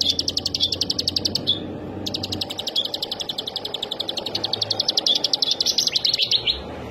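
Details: Rapid high chipping song of an olive-backed sunbird: a quick-fire series breaks off after about one and a half seconds, restarts after a short pause and carries on steadily, ending in a brief sharp click.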